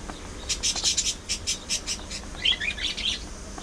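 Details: Pet budgerigars go about a day of play, fights and mutual grooming, giving a string of clipped high chirps that shift into a brief twittering warble near the end, over faint room noise.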